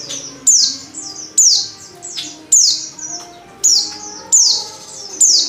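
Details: White-eye female in heat calling a male, giving strong high chirps that sweep sharply downward, repeated about every second, each trailing a fading tail.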